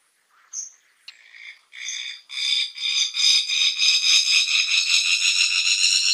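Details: Fire-tufted barbet, locally called takur api: a dry, buzzy, rattling trill that starts as separate pulses and speeds up into a steady, insect-like buzz of rapid repeated notes, about 220 per minute.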